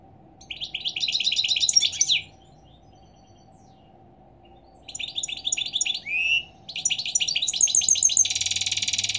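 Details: European goldfinch singing in the morning: bursts of fast, tinkling, buzzy twitters mixed with rising slurred notes, a pause of about two seconds, then longer twittering ending in a harsh buzzy note over a faint steady hum.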